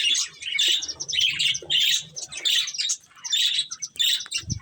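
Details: A breeding pair of budgerigars producing repeated rough, buzzy chirp phrases about every half second, steady chattering with a soft thud at the end.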